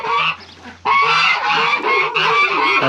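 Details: Domestic geese shut in on a farm in the morning, as the animals are being let out, honk loudly and harshly in several overlapping blasts that run almost without a break after a brief quieter start.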